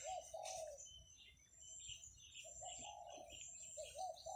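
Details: Doves cooing in the morning in rice fields where buffalo graze, 17 July 2023: soft, low, rolling coos repeated in short phrases, fairly faint, with high thin chirps of other birds above.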